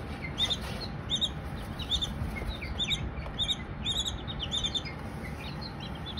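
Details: Baby Silkie chicks chirping: short high peeps repeated about every half second, fairly steady, over a constant low background hum.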